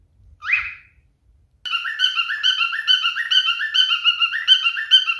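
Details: Male cockatiel in mating behaviour: one short rising squawk, a pause, then a fast warbling song of whistled, harmonic notes rippling up and down, about two notes a second.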